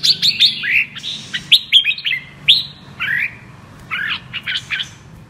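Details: Red-whiskered bulbul of the 'mơ' type in double-voice (giọng kép) song: quick high whistled flourishes, some falling slurred notes, and a few rapid fluttering bursts, growing softer toward the end.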